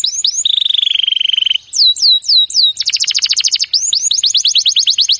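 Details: Canary training song: a few curling slurred notes, then a long rapid rolling trill, then drooping whistled swoops. A loud fast rattle follows before the bird ends with a quick series of bright rising-falling notes.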